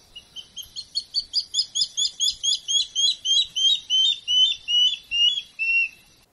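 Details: A Water Thick-knee in Southern Africa gives a long run of about sixteen high, plaintive whistled notes, swelling then fading and slowly dropping in pitch toward the end.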